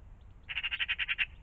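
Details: Magpie calling in the morning in and around a pond: one harsh, rapid chattering rattle of about nine dry notes packed into under a second, over quiet low background rumble.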